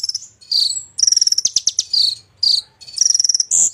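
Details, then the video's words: Short burst of Golden-fronted leafbird song rich in imitations, alternating slurred high whistles with rapid pulsed trills in quick succession. "Konin gacor isian jozz"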